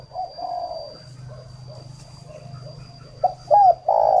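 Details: Spotted dove decoy bird, northern Vietnam, calling for luring. Soft, muffled coos over a noticeable low hum give way to three loud notes at the end: a sharp short note, a hooked coo and a sustained coo. A steady faint high whine runs throughout.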